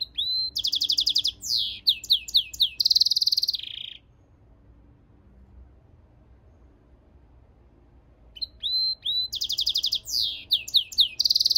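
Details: Mule of European goldfinch and canary in song: bursts of fast trills and repeated down-slurred notes ending in a buzzy phrase, silence for about four seconds, then the trilling song resumes.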